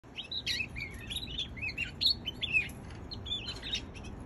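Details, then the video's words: Young canary giving a busy run of thin, high chirps and short twittering notes, some rising and some falling, nearly continuous over a soft steady background hum. "Baby canary"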